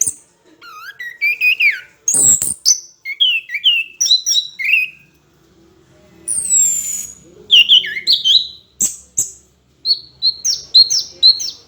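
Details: Orange-headed thrush singing a tutor song used to train other songbirds: varied clear whistled phrases, some rising, some falling, with sharp high notes and brief pauses between bursts.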